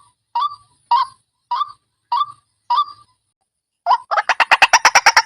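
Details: White-breasted waterhen lure call, called fierce: five spaced harsh croaks, then a fast accelerating run of sharper, higher pulses that ends the phrase.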